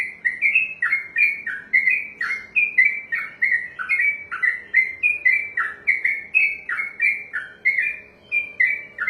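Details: Yellow-vented bulbul (trucukan), a kept songbird trained for singing contests, delivers a long unbroken 'ropelan' song: rapid, bubbly, down-slurred whistled notes, about three per second, pouring on without pause; faint low hum behind.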